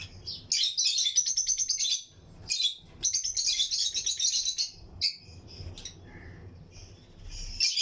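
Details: A breeding colony of lutino lovebirds chirping in an aviary with other birds around them: rapid, rattling runs of shrill chirps lasting a second or two, then a few scattered calls.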